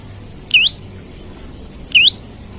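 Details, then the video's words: Two strong, high, swooping whistles from an olive-backed tailorbird, each dipping then rising sharply, about one and a half seconds apart, used to draw in rival birds. "Prenjak Lumut Gacor Nembak Cari Lawan Buat Pancingan/Pikat/Masteran Ampuh"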